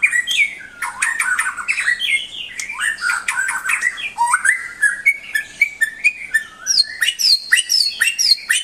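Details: Continuous, dense white-rumped shama song played to tutor pet birds: tumbling mix of clear whistles, sharp clicks and high buzzy notes with no pauses.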